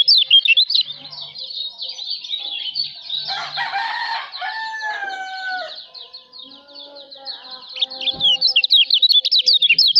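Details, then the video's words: Lombok white-eye, locally kecial lombok, singing for songbird training: rapid high chattering notes, a middle stretch of lower slurred whistles and rougher sounds, then renewed quick, loud, jerky chirps. "masteran kicau burung kecial lombok"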